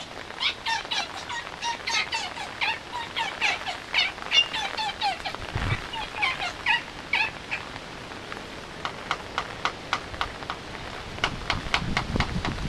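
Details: Courting pair of Laysan albatrosses calling to each other in the rain; rhythmic bursts of rapid nasal, rattling pulses repeated for several seconds, then a run of sharp separate clacks, with a steady hiss of rain throughout.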